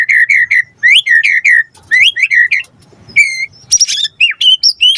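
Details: White-rumped shama in lively song used as a lure to prompt a response: loud whistled phrases around the same pitch repeated in quick bursts, then varied rising and falling notes and sharper high chips.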